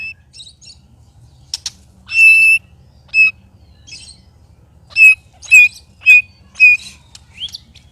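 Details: White-rumped shama, one of three birds set to spar, makes strange, loud sounds: scattered harsh squawks and short, clear whistled notes repeated about twice a second near the end, with quiet gaps between.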